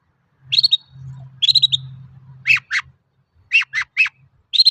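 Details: A long-tailed shrike, recorded to coax other shrikes into singing, opens with quick stuttered chirps, then delivers a run of harsh, scratchy paired notes, with a low droning hum early on.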